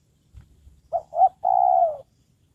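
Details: Spotted dove serving as a trained lure bird calls once, two short hollow coos leading into a longer smooth coo that falls slightly at the end, in a quiet setting.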